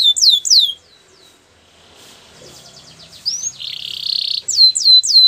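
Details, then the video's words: Canary song meant for training other canaries: a few loud downward-sweeping notes, then a near-silent gap, then a rising whistle, a flat buzzy trill and more repeated downslurred notes at the end. "Best canary sounds!! Suitable for canary training"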